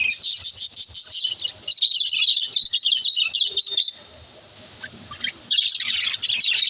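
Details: Budgerigars during breeding, Australian birds kept as pets: rapid bursts of high chirps repeated about three per second, then warbling chatter, a quiet gap, and more chirping at the end.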